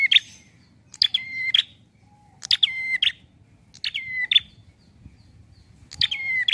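A prinia repeats a brisk, high phrase roughly every one and a half seconds: sharp stepped notes that drop in pitch, with a faint low background hum.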